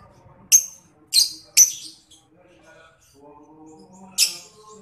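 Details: Young lovebird, used in Indonesia as a lure to make other lovebirds answer: four sharp, shrill chirps, three close together, then a pause and a fourth, over a faint low hum.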